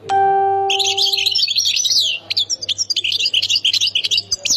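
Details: European goldfinch from Khemis Miliana, Ain Defla, singing a continuous stream of high, jingling twitters and quick slurred notes, opening over a single sustained plucked-string tone that fades after about a second.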